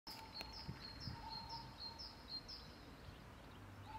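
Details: A grey wagtail in Prule, Ljubljana, on 10 February 2024 gives a quick series of sharp, high, thin notes, about two or three a second, over a low background rumble and a steady hum.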